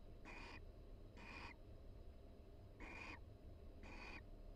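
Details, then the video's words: Mated barn owls relaxed together in a University of Florida nest box, calling softly as they groom each other; four short wheezy hissing notes in two pairs, separated by a pause, over faint hum. "Barn Owl Pair Chats and Preens Inside the Nest"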